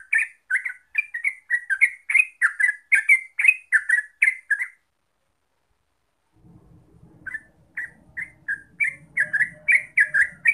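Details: Yellow-vented bulbul (terucuk) singing rapid 'gacor ropel' style: quick bubbly chirped notes about three per second, a silent gap midway with faint low rumble, then the chattering resumes.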